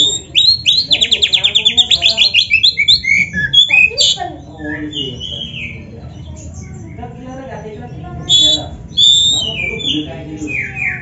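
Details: Black-breasted Oriental magpie-robin, a kept songbird in full song laced with canary-like phrases, used as a lure to get other birds singing: a fast rattling trill of repeated high notes, then varied whistled slurs and chirps over low background murmur.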